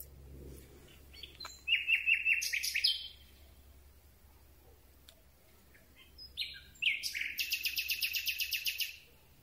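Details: Common Nightingale singing at night, recorded from very close with a microphone on a telescopic boom: two loud phrases, each opening with short chirps, then fast runs of repeated sharp notes, separated by several seconds of quiet.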